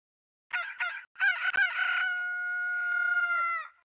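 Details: Rooster crowing: two short clipped opening notes, then a loud harsh middle section falling into a long, steady, drawn-out tone held for about one and a half seconds before cutting off, otherwise quiet.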